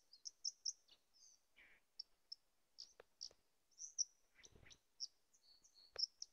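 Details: White-throated dipper singing at a mountain tarn below Kozí štít: faint, very high, thin chirps and short twittering notes scattered irregularly, with a buzzy lower burst and several soft clicks.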